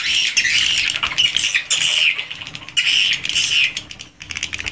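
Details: Swiftlets inside a swiftlet house, original recording: bursts of dense, high buzzy twittering from many birds, broken by short quieter gaps, with fainter chirps between bursts.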